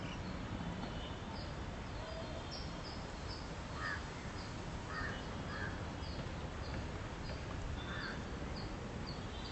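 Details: Western swamphen with chicks while feeding: scattered harsh, croaking squawks, some in quick pairs, spaced over several seconds, while another bird repeats short high chirps throughout against constant background hiss.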